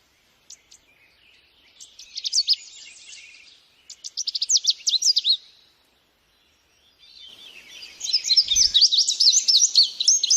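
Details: Bird song in three bursts of high, quick chirps and sweeping notes separated by short pauses, the last burst a dense twittering run with a brief low thump in the middle.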